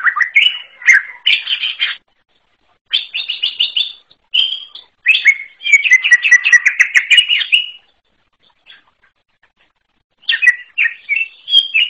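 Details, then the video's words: Wild greater green leafbird singing a varied, rich song: bursts of quick slurred whistles and rapid chattering trills, mostly mid to high pitched, in phrases of one to three seconds separated by short pauses, with no other clear sounds. "KICAU UNIK CUCAK IJO ALAS"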